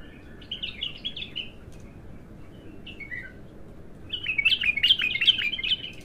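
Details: A raw bulbul singing for the first time: a soft warbled phrase, a few scattered notes, then a loud rhythmic run of repeated rising chirps at the end.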